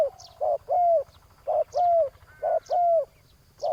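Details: Spotted dove calling at a ground decoy set to lure a rival. Two-part phrases each pair a short coo with a longer coo that arches and then falls, repeated roughly every second. Faint high chirps are also heard.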